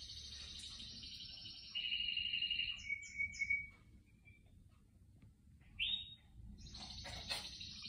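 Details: Canary (Serinus canaria), song.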